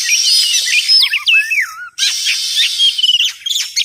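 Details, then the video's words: Oriental magpie-robin sound played to lure birds for trapping: loud looping whistles that bend down and up, mixed with high chips over a steady hiss, broken by one brief gap near the middle. "suara ampuh pikat burung Kacer"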